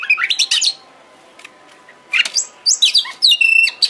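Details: Oriental magpie-robin (kacer) trigger song meant to provoke singing and tail-spreading: a fast cluster of high chirps and slurred notes, a quiet gap with faint ticks, then whistled phrases ending in a long steady ringing note.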